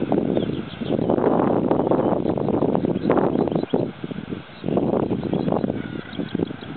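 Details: Northern gannets at Bempton Cliffs, Yorkshire, give harsh, grating, rasping calls in rough bursts of a second or two, over a steady low roar of many birds calling together.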